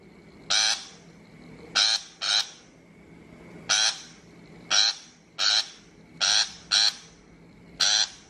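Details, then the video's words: Shrike lure call for bird trapping: rough, scratchy notes repeated at irregular gaps, some in close doubles, each a brief harsh burst standing well above a quiet, humming background. "Tiếng chim bách thanh chuẩn mp3 cho loa bẫy"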